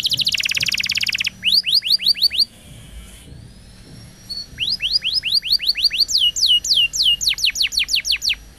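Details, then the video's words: Canary song used to teach young birds: a dense buzzy trill, then rows of quick rising whistled notes repeated several times a second, a brief pause, and more rapid upslurs building to the end. "Kenari Gacor Panjang !! Masteran Burung Kenari PAUD dan Pancingan Kenari MACET BUNYI"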